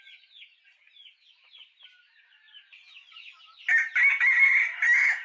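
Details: Chickens with soft chirpy peeps and clucks repeated quickly for several seconds, then loud, harsh, drawn-out squawks bursting in over the last second and a half.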